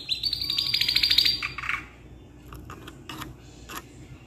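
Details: Canary song for tutoring young birds: a bright, rapid buzzy trill for about a second and a half, then a harsher burst, followed by scattered soft clicks and taps.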